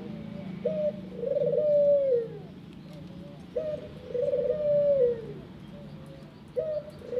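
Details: Ringneck dove in an aviary cooing steadily: a brief clipped note, then a long rolling purr that rises slightly and falls, repeated about every three seconds over a low background hum.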